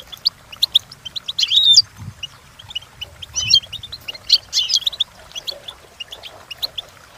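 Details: Goldfinch song for training: scattered high chirps building into short bursts of tinkling, buzzy twitter, then thinning to sparse single notes over a faint low hum.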